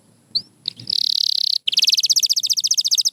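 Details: White canary song, a short whistle followed by a buzzy sustained note and then a long, fast, rhythmic trill of repeated pulses.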